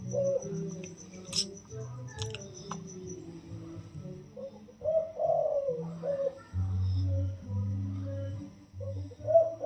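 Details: Wild-caught spotted dove held in a cage for 16 days, cooing in the single-kuk 'yon kuk diao' crowing style: a few soft, low rounded coo notes late in the recording over a steady low hum and occasional clicks.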